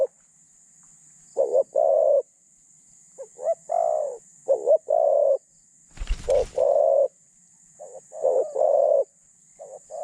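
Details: Captive spotted dove used to decoy wild doves, medium-pitched and thinly phrased, utters a run of stuttering coos with short broken notes and longer held ones, interrupted midway by a loud thump.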